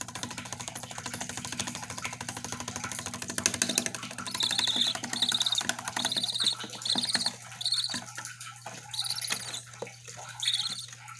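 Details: Baby budgerigars (Melopsittacus undulatus) give high, scratchy chick chirps, repeated about once a second, after a stretch of broad hissing noise; a low steady hum runs underneath.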